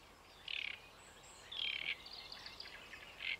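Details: Song of a great reed warbler, Paxton Pits Nature Reserve, late May 2016: rasping, croaky notes in separate loud bursts, a softer chattering run between them, then another harsh note at the end.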